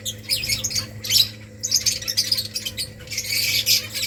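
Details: Colony of finches building nests, giving dense high chirps and squawky twitters in overlapping bursts at about 0.3, 1.1, 1.8 and 3.3 seconds, with a steady low hum underneath.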